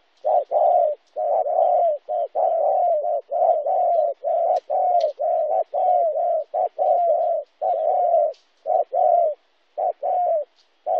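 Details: Recorded in Kon Tum, Vietnam, on 26 January 2016, a spotted dove gives a long run of loud, hollow coo notes, roughly one per second in uneven rhythmic groups, some slightly drawn out, with a clean, quiet background.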